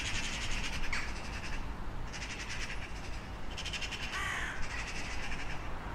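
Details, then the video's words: Crows give scattered raspy caws, including one longer hoarse call near the end, over steady low-frequency background noise. "Sunete de ciori. Sunete de pasare cioara."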